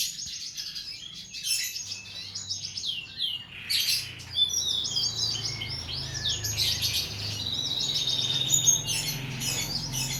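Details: Tutor song for training cage birds: dense high twittering and chattering from several birds, with rapid trills and whistled notes overlapping almost continuously, plus a low hum underneath.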